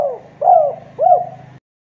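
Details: Javanese spotted dove giving its close-set 'kuk 2' call, used as a lure to get reluctant doves calling: two mellow cooing notes about half a second apart, each swelling then fading, over a steady low hum.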